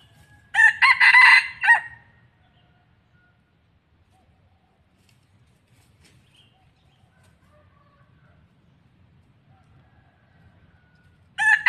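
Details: Red junglefowl decoy cock used for trapping wild junglefowl in Thailand, giving one harsh multi-part crow of about a second, with a second crow beginning at the end; quiet background otherwise.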